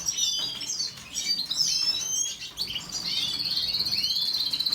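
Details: Canary song with varied whistled slurs and chirps, then a fast even trill held for the final seconds.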